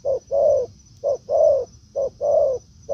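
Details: Spotted dove calling in forest where a decoy bird has met a wild one; three clear coo pairs in three seconds, short note then longer hoarse note, with a faint constant high hum.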